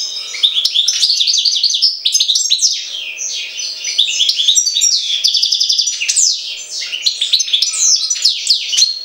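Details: European goldfinch song linked to Jagodina: a steady, dense stream of rapid, liquid twitters and chirps with short metallic trills, sustained for the whole passage without breaks.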